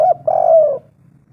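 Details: Spotted dove, a lure recording to prompt other doves to call: one mellow, low coo phrase, a short note followed by a longer, slightly falling hum lasting under a second, then quiet.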